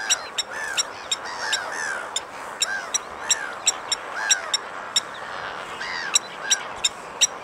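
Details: Metallic, hammer-like clinks from a Blacksmith lapwing repeat steadily through the recording, mixed with arching, downslurred calls and a constant noisy background.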